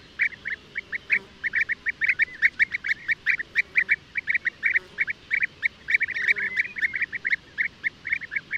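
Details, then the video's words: Rapid series of short purring, fluty notes from European bee-eaters, repeated several times a second with slight pitch shifts, some calls overlapping as if from more than one bird. "O canto do abelharuco-comum/abelharuco-europeu (Merops apiaster)"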